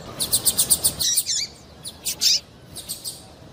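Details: Calls of a female double-collared seedeater, played to excite a male into song; a quick run of about eight sharp, high chirps, then slurred wavy notes and a few spaced, bright chips.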